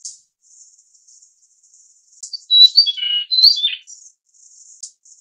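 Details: Grey-cheeked fulvetta (Alcippe morrisonia morrisonia, Taiwan endemic subspecies) gives a quick phrase of clear, slurred whistles that rise and drop, set among soft, high, thin chips and hissy ticks.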